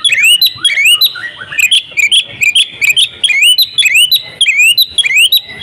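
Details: Female Oriental magpie-robin (kacer) calling the male: loud rising whistled notes, each sweeping sharply upward, repeated about twice a second, with short chips between them.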